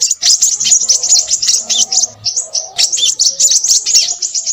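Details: High, rapid twittering from a crimson sunbird in busy song, with fast sharp chips and brief squeaky slurs broken by a couple of tiny pauses.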